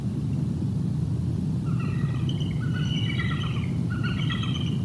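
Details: Bald eagle pair at the Decorah North nest in Iowa mating on 11 November 2021 around 5:13 pm, captured on a nest camera: series of high chattering, squealing notes in stuttering bursts over steady low wind rumble.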